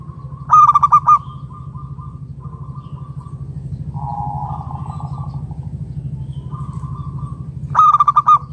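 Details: Local wild zebra dove, used to entice other doves to call: short bursts of rapid staccato cooing open and close a stretch of quieter sustained tones, all over a steady low hum.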